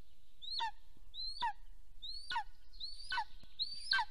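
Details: Nest camera in Soomaa National Park, southwestern Estonia, 1 April 2024 around 9:35 am, wild golden eagle male returning as the female steps away; five thin, high, rising-then-dropping yelps repeated roughly every 0.8 seconds, growing slightly stronger, over faint low noise.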